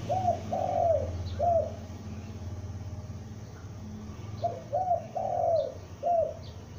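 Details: Loud calling from a young spotted dove used as a lure: two cooing phrases, each several short low notes around a longer drawn coo, over a low background hum.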